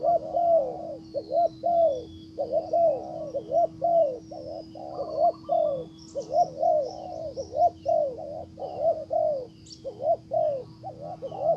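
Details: Spotted dove used as a decoy, calling toward a wild dove that does not respond; a long run of deep rhythmic coos, each phrase a pair of short notes then a longer falling one, repeated continuously, with a steady background hum.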